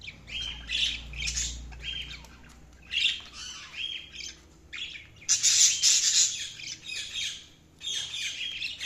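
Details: Several pet budgies chirping while feeding, repeated harsh squawky chirps and buzzy chatter in quick bursts, becoming louder and denser after five seconds, over a steady low background hum.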